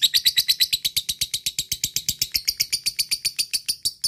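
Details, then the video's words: Lovebird ngekek, meant to get other lovebirds excited and singing long. A steady, rapid series of sharp, high chattering notes runs about seven per second, strongest at the start. "lovebird cepat naik EMOSI dan langsung jadi ngekek panjang"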